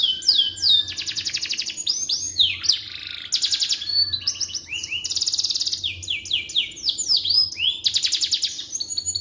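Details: Canary singing as tutor audio for white-rumped shamas: varied rolling trills, buzzy tours and swooping whistles in quick succession, set against a soft continuous background hum.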